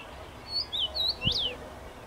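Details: Song of a common rosefinch in a tree on 23 May 2021: a clean whistled phrase of four notes, the closing one rising and falling, with a soft thud in the middle.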